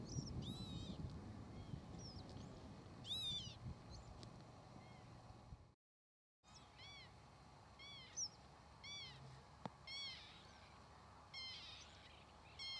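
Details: Northern lapwing (Vanellus vanellus) calling repeatedly in short, wheezy, rising-and-falling notes with a mewing quality, several overlapping in quick succession, then a brief dropout before more scattered calls against steady low background rumble.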